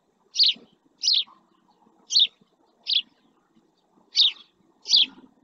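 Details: Adult male house sparrow resting beside a live camera in the El Rocío marsh, Doñana National Park, Spain, gives six short bright chirps at irregular intervals of about a second, with faint low rumbling underneath.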